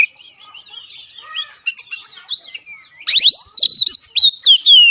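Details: Oriental magpie-robin masteran to make a caged kacer sing: soft warbled and chattering notes at first, then a loud burst of rising sweeps and long falling whistles in quick succession.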